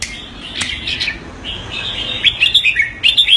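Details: Red-whiskered bulbul, a kept cage bird in Singapore, doing keke on command. It opens with scattered thin chirps, then gives a quick run of sharp, chattering notes repeated roughly twice a second near the end.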